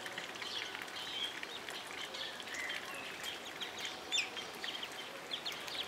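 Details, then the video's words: White-faced whistling ducks at a zoo, several thin high whistles scattered over a steady noisy background of other birds and hubbub. "White-faced whistling Drzewica białolica Dendrocygna viduata"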